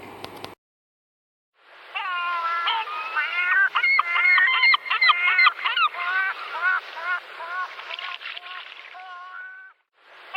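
Gulls give harsh, nasal, wavering cries in a rapid, overlapping chorus, several birds calling about three times a second for around eight seconds.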